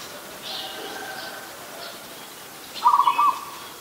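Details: An adult zebra dove in Ubon Ratchathani, Thailand, recorded 24 December 2020, delivers one quick trilled coo phrase near the end after a stretch of faint distant bird chirping.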